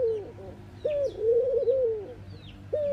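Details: Mourning dove coos, hollow and low, one long wavering note that swells and trails downward, followed by the start of another, against faint high chirping.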